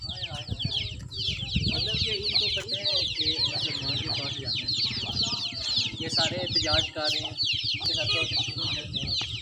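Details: Village chicks in a commotion while the mother hen is held up away from them: a steady stream of high, falling peeps continues throughout, overlapped by a man talking and low hen clucks.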